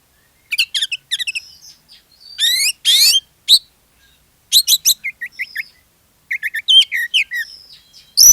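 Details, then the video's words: Oriental magpie-robin song meant to provoke other magpie-robins into singing: fast stuttering chirps, a harsh rasping buzz, then a run of clear rising and falling whistles, loud and varied. "SUARA PANCINGAN KACER GACOR, BIKIN KACER YANG LAIN IKUT GACOR"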